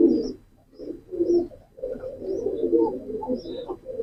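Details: Deep, murmuring coos from a pigeon come in rolling phrases with short gaps between them. Soft, high-pitched chirps of small birds are heard now and then.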